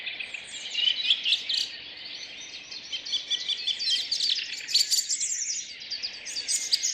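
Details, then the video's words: Several birds singing together in a Rheine city park on an early May morning in 2011, four-track recording converted to stereo: continuous layered chirps, short trills and bright whistled notes, louder bursts every second or so. "Vogelstimmen Stadtpark Rheine2011"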